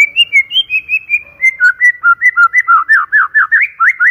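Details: White-rumped shama song for luring: a long, steady sequence of clear whistled notes, first level and high, then dipping and rising in rhythmic repeated slurs, loud and clean.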